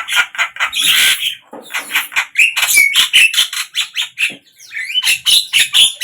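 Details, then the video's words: Javan myna singing in the morning, midday and evening: dense bursts of harsh, scratchy notes mixed with short whistles, some rising, in rapid irregular series with brief pauses. "Jalak kebo ,pagi, siang,sore"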